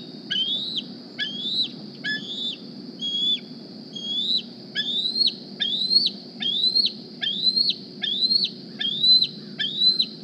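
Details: Young Decorah bald eagle D36, wearing a GPS transmitter, calls at the nest while seeking a meal: quick successions of piercing upslurred whistles clipped short at the end, coming faster toward the close, with low hum behind.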